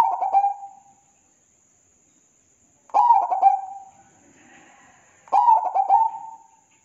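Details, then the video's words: Zebra dove song in a perkutut masteran: three cooing phrases, each with stuttered throbbing notes and a long trailing tail, while faint soft warbling sounds fill one gap; a thin high tone continues. "MASTERAN SUARA PERKUTUT SUPER ISTIMEWA TERBAIK NO #1"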